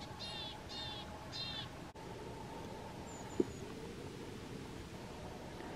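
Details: Marsh or willow tit at a feeder on 31 January 2022: three quick nasal ringing notes at the start, then quiet with a soft click and faint thin whistle over a low hum.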